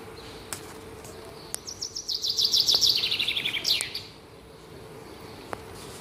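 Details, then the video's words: Morning birdsong: a bright, rapid series of high chirped notes slurring steadily downward for about two seconds and ending in a sharp upward flick, over a constant low hum. "Таңкы чымчык сайроосу"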